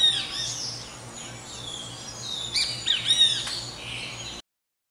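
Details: Great kiskadees singing in the morning give bright, arching high chirps and squawky notes, several overlapping in quick uneven bursts, among other twittering birds.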